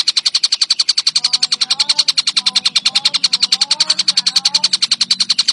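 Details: Tengkek buto ijo kingfisher in lively song: rapid, evenly spaced strident notes repeating about three and a half times a second throughout, with faint soft whistles from another bird underneath.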